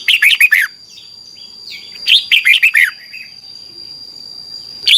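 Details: Red-whiskered bulbul song, the doubled style played daily so young birds learn it quickly: bursts of four or five fast, bright, warbled notes, repeated after about a second and a half of quiet, with a constant thin high tone behind.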